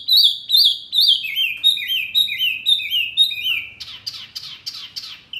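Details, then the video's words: Songbird masteran for kept murai, kacer, cucak ijo and jalak: a series of slurred notes stepping gradually lower, then a burst of harsh, buzzy chatter and a final short whistle. "Masteran burung Murai, Kacer, Cucak ijo, jalak, pasti NYAUTTTTT"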